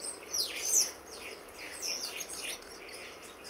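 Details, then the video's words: Common starlings in a garden in October 2012, part of a local flock of over 60 birds that grows in autumn. Sharp, high, downward-sweeping whistled chirps come in loud bursts early on, followed by softer, scattered chattering calls. "Starlings in our Garden"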